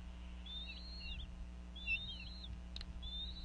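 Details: Bald eagle female in Northeast Florida calling over a fish during a family feeding of eaglets at the nest: three quick, high, wavering whistled notes with a slight stutter, over low background hum.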